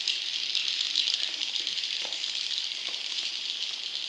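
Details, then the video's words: Swiftlet chick calls, a lure recording for attracting wild young swiftlets: a dense, hissing, buzzy chorus of overlapping high rasps, with brief brighter chirps early on and no other sounds. "Suara Walet Anakan Super"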